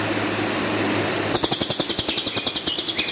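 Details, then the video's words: Cililin song in a rough, rapid 'shot' style used as a master recording for training birds: after a second of quiet hum, harsh high buzzy pulses repeat about six times a second, steady and unbroken. "Burung Cililin"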